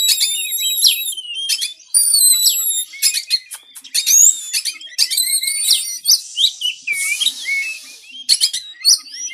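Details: White-rumped shama song for training birds to sing: dense, fast sequence of high whistles, trills and harsh chatters, continuous with few gaps, including a burst of buzzy noise midway.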